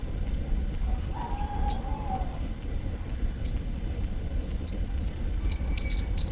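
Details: Sunbird (kolibri ninja) recorded at Bakalan, uttering isolated thin, very high chirps, spaced irregularly then bunching into a rapid cluster near the end, with a faint distant rooster and low background hum.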